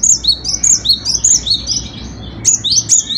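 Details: Cinereous tit, a caged songbird singing constantly, its song used for tutoring other birds: clear high two-note whistled phrases alternating between a higher and a lower pitch, repeated rapidly, with a low background hum.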